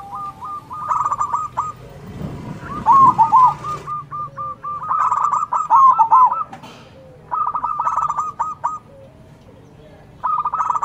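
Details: Loud-voiced local zebra dove singing and answering other local doves: bursts of rapid, staccato mid-pitched coo notes repeated in rows, with a rolling, slurred phrase and short pauses between bouts.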